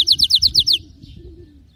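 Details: Canary singing: a quick series of six high, bright notes, each sliding downward, repeated at an even pace for under a second, then trailing into near silence with faint low background rumble.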